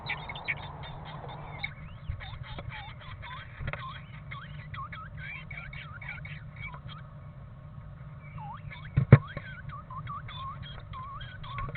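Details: Two pairs of great tits trade contact calls during the 2021 spring nest-box season, while possibly weighing up the box for nesting. Soft quick chirps rise and fall, several each second, over steady low hum.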